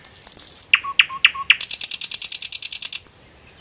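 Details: A common nightingale singing in a forest gives a high drawn-out whistle, four sharp dropping notes, then a fast, dry, buzzy trill of about fifteen pulses, ending in a thin whistle.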